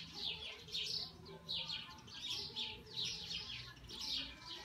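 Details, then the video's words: A European goldfinch sings an exceptional song: a fast, tinkling stream of bright twittering notes in short bursts, with a faint low hum in the background. "Chant de chardonneret exceptionnel"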